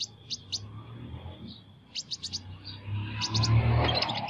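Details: Sunbird singing in an unusual voice: scattered high, sharp chirps in small groups of two to four, followed by a louder burst of rushing noise mixed with more chirps.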